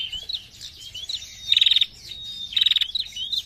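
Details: Female prinia in 'narung' calling: high thin notes leading into two loud, rapid stuttered trills, each lasting about a quarter second.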